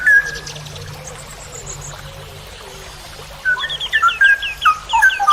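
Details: Straw-headed bulbul (cucak rowo) in long ropel style, used to tutor songbirds: after a quiet stretch with distant high chirps, a fast run of mellow slurred whistles breaks out, mixed with thin twitters from other birds.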